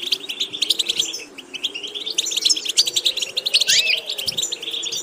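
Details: High, rapid goldfinch twittering with buzzy chatter and a rising slurred note near 3.7 seconds, intended for training varied vocal repetitions; soft low hum underneath.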